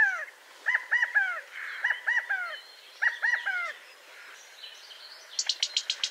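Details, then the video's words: California quail giving rapid runs of arched, down-slurred notes in clusters of three or four, repeated several times, then a burst of sharp clicking ticks near the end. "California Quail Call/Song/Sound"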